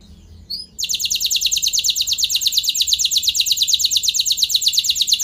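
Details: Canary giving a long rolling song as a lure for other canaries to sing: a short chirp, then a dense, fast buzzy trill of evenly repeated high notes running unbroken to the end.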